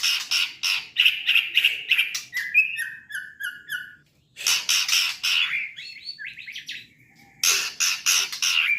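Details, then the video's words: White-rumped shama in trotol song: rapid rasping pulses about three per second, a run of clear repeated whistled notes, then more harsh bursts and quick slurred phrases. "Bunyi murai trotol"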